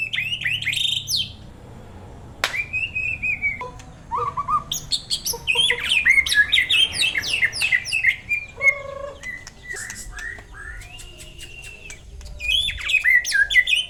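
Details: White-rumped shama singing as a kept songbird: varied phrases of steady whistled tones, low fluty notes, rapid chattering runs and sweeping slurs, separated by short pauses, over a faint low hum.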